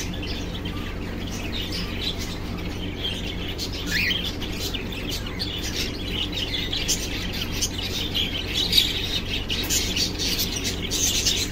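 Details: Cockatiel making what are described as pretty love sounds: busy, high chirps and short squeaky notes in quick, irregular bursts, with a brief rising note near four seconds, over a steady low hum.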